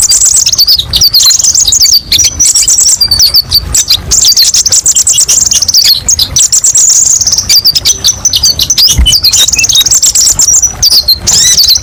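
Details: Kolibri ninja sunbird singing a long, continuous, high-pitched twitter of quick chirps, slurred notes and rattling trills, varied and sharp, used as a tutor recording for other birds.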